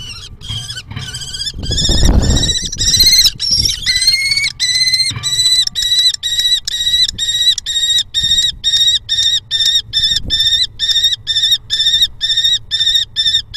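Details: Common kestrel in Hoogeveen, Netherlands, on 6 April 2021, as the male brings a mouse to the female: loud, harmonic, slightly whining notes repeated about twice a second, starting irregular and overlapping, then settling into a steady run, with a low rumble early on.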